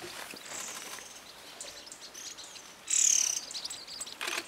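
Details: A white-eared sibia (Heterophasia auricularis) gives a very high, thin whistle that slides slightly downward, a faint one first and then a louder one, over steady outdoor hiss.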